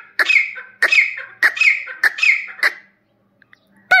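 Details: A free-ranging desi grey partridge gives five harsh, ringing notes, about one every 0.6 seconds, each sliding down, then falls quiet before a short final squeak.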